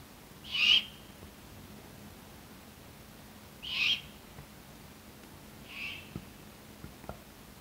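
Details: Three Great Horned Owlets begging for food at 12:30 a.m., recorded from a bedroom window in Duluth, Minnesota: three harsh, hissing screeches about three seconds apart, each under half a second and fading with each call, over a quiet night background.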